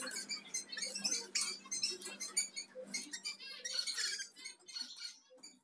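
Black mannikins give thin, high chirps and squeaks in a rapid, overlapping chatter, several calls a second, over a low steady hum.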